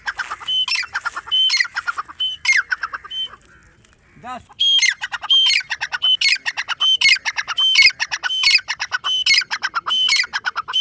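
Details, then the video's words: Grey francolin repeating its loud, rasping phrase of rapid grating notes ending in a piercing squawk. The series briefly stops near four seconds, when a soft sweeping tone is heard, then calling resumes. "grey francolin dakhni teetar sound"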